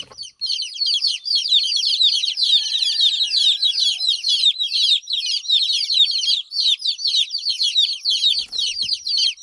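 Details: Hen's chicks crying with their mother absent: dense, continuous high-pitched peeping from several chicks, rapid overlapping cheeps with short gaps, a faint low whistle-like tone in the background.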